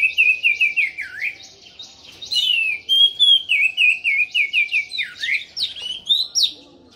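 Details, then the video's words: Loud, continuous orange-headed thrush song from a bird singing tirelessly: rich whistled phrases, quick repeated notes and swooping slurs, a dense rhythmic run of roughly three notes per second over a quiet background. "Anis merah gacor teler"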